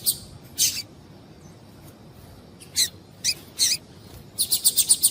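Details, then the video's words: Female double-collared seedeater giving calls meant to get males singing: a few scattered, thin, high chirps separated by pauses, ending in a fast run of five bright notes. "Piado de Fêmea de Coleiro para Esquentar Coleiro"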